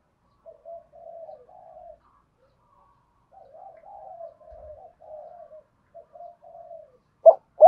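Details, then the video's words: Spotted dove giving soft, low murmured cooing (thúc gù) in broken phrases of short warbling notes, separated by a pause, ending with two louder abrupt coos; quiet background. "Tiếng chim cu gáy thúc gù và gáy gọi cực chất giọng hạp bổi nhất hiện nay"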